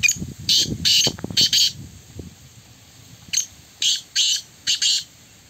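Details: Black francolin (kala teetar) calling during a contest match: two rasping, scratchy phrases, each of three or four noisy notes, with a low murmur under the first phrase.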